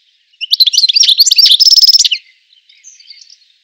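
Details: European goldfinch singing: a quick, tinkling jumble of high twittering notes that speeds into a brief buzzy rolled trill, lasting under two seconds, then a few fainter twitters trailing off in otherwise quiet surroundings.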